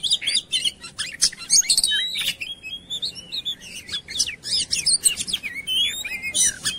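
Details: Lure song of an Oriental magpie-robin meant to get birds singing: dense strings of bright chirps, whistled upslurs and trills with brief pauses between phrases.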